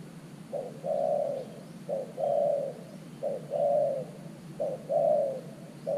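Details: Spotted dove kept as a new decoy bird for luring wild doves to a clay trap. It gives low hooting coos in phrases: a short note, then a longer drawn-out coo, repeated four times over six seconds. Faint rural background.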